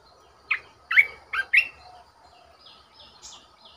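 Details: Decoy red-whiskered bulbul giving four loud, bubbly whistled notes in quick succession, followed by softer, higher warbled notes that trail off against a faint low hum.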